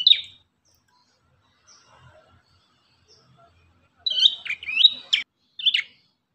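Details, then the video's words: Ashy tailorbird (prenjak kepala merah) gives one sharp high chirp, then near silence, then a late run of quick high whistled notes with abrupt pitch jumps and a final chirp. "MASTERAN BURUNG PRENJAK KEPALA MERAH"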